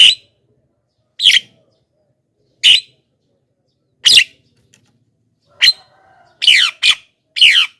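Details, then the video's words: Javan myna calls meant to attract wild mynas: single harsh, buzzy squawks spaced over a second apart, ending in a quicker run of three raspy, descending notes. "suara BURUNG JALAK KEBO,gacor menggelegar,semua jalak kebo auto nyahut"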